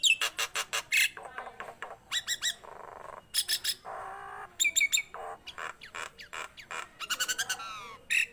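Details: Nias hill myna in full song, mixing loud staccato knocks and squawks in quick clusters with rasping, buzzy notes and occasional sharp whistled accents.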